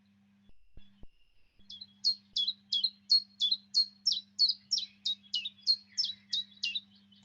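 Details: Common chiffchaff (Phylloscopus collybita), song.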